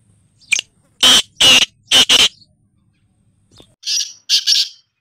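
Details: Black francolin, locally called kala, desi or Sindhi teetar, giving loud harsh rasping notes: one short note, then a burst of four grating calls, a pause, and three softer buzzy notes to finish, over a quiet background.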